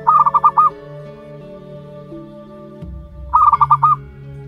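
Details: Young zebra dove, a month-old chick of local wild birds, repeats a bubbling coo: five or six clipped pulses per phrase, two phrases roughly three seconds apart, against a low constant droning background.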